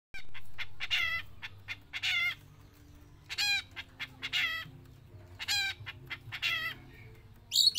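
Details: Javan long-tailed shrike, a trained bird singing non-stop both in and out of its cage: bursts of harsh, buzzy, rasping notes in short clusters, with pauses between, over a low steady hum.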